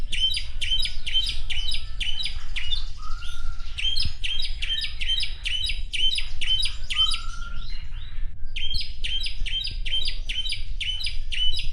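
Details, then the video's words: Asian pied starling singing lively in the morning: rapid, steady series of sharp chirped notes with bright high overtones, broken by occasional short lower whistles, over a constant low hum. "Jalak Suren Gacor Pagi Hari!"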